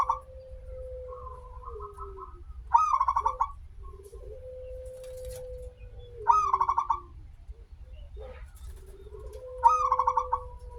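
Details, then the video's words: Zebra dove, a local bird singing persistently, recorded as a lure to start other zebra doves singing; three phrases, each a sharp rising note then fast rolling coos, separated by long flat low tones. "perkutut lokal gacor suara awal panjang, pancingan perkutut agar bunyi"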